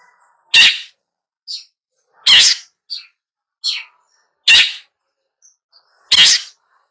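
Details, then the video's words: Long-tailed shrike giving loud, harsh, rasping single notes about every two seconds, with a few faint softer chips in between. "Long-tailed Shrike Bird Song, Sound, Call, Chirp, Melody"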